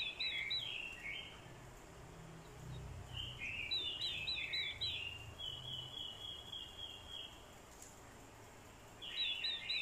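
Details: Fighting song from a decoy orange-headed thrush, set off by female calls: repeated tumbling warbled phrases and a drawn-out high whistled line, with a low rumbling hum beneath.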